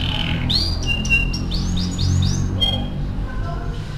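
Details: Atlantic canary (kenari AF) singing a training song: a row of looping, arched, upslurred whistles, a brief sharp note, then quieter soft notes over low hum.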